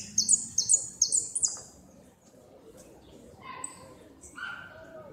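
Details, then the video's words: A second-place goldfinch in the 2016 northern-zone competition sings repique: a quick run of high, sharp whistled phrases, then quieter, lower notes and background voices. "Amarillo de repique"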